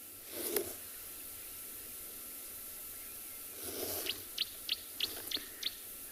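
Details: Green-backed camaroptera (bleating warbler) calling at sunset in November in the Tswalu Kalahari Reserve, South Africa, near a jackalberry tree: about six short sharp high notes, roughly three per second, over a steady high hiss of cicadas.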